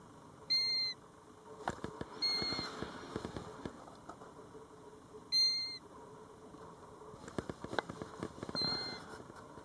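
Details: European golden plover calling near its nest, seven feet from a roadside at Batsfjord, recorded from a car: clear single whistled notes, each slightly falling, given in irregular pairs a few seconds apart, with crackling handling clicks and faint background rumble.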